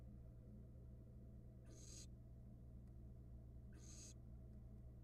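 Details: Barn owl nestlings in a Florida nest box camera in 2022, feeding on a rat, give two breathy, noisy hisses about two seconds apart against a steady low hum.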